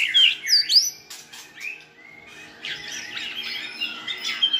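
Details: White-rumped shama song used to tutor a selected shama and broaden its repertoire: loud, clear whistled phrases sliding up and down, sharp high notes, then a softer, busier warbling passage.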